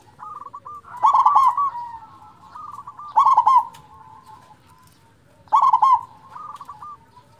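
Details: Local zebra dove with a powerful voice for luring reluctant singers: three loud, rapid, husky coo bursts spaced about two seconds apart, each followed by quieter rolling trilled coos.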